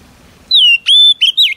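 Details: Female Oriental magpie-robin whistling to rouse a male: a loud descending whistle, a steady drawn-out whistle, and two short rising-falling slurs.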